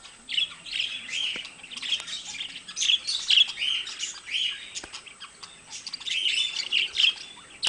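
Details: A pair of pet parakeets, budgerigars, giving bursts of squawky, buzzy chatter mixed with thin whistled chirps, phrases rising and falling in short clusters separated by brief quieter gaps.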